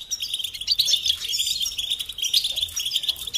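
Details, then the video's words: European goldfinch song used to teach chicks and songbirds: a dense, continuous twittering of bright, high chirps and rapid trills with brief tinkling notes, without pause through the short stretch. "Encouragement to motivate and support goldfinches in songs"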